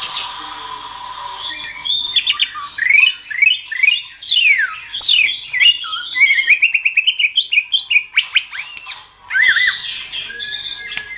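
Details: Training recording of greater green leafbird song for other songbirds: a long, fast medley of sweeping slurred whistles rising and falling, strung into rapid pulses near the middle, with sharp clicks and a closing pair of buzzy warbles.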